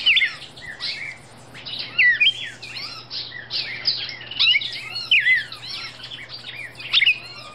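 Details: Female red-crested cardinal in Brazil giving clustered bursts of sharp, twisting whistled notes about once a second, over a faint steady low hum.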